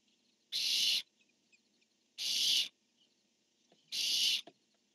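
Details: Barn owls on a nest camera, male calling and female answering, 10-1-15: three harsh, hissing screeches about half a second long, spaced roughly every 1.7 seconds, over a faint steady background hum.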